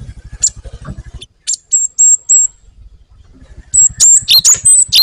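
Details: Java sparrow in full song, rolling gacor style: thin high whistled notes and sharp chips, then a dense run of sliding whistles, over a low rapid ticking background.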